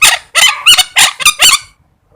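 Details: Parrot calling loudly: five harsh, raspy squawks in quick succession over about one and a half seconds, then silence.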